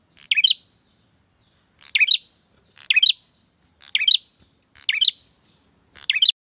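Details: A male bar-winged prinia calls to a female with a brisk repeated phrase, a sharp high chirp dropping into a short twittering flourish, given six times at roughly one-second intervals against silence.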